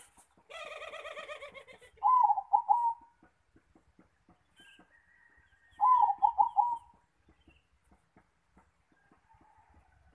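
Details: Zebra dove at the nest repeating its rolling cooing phrase twice, about four seconds apart, after a brief buzzy harmonic sound at the start; otherwise quiet.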